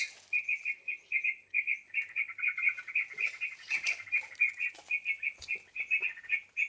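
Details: Sooty-headed bulbul lure sound used for trapping birds: a fast run of bright, chirpy notes repeated about four times per second at steady pitch, with faint higher squeaks and a soft hiss behind.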